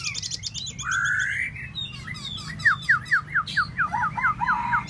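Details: Tieu mi bird in solo song: a long buzzy note, then a rhythmic string of sharp downslurred whistles at about two per second, closing with a drawn-out lower note, low hum underneath.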